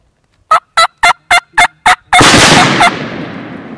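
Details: Spring turkey hunt, two longbeard toms gobbling in at a decoy: six sharp, regular gobbling bursts, then a sudden loud broadband blast that rings out and decays, with one more gobble note inside it.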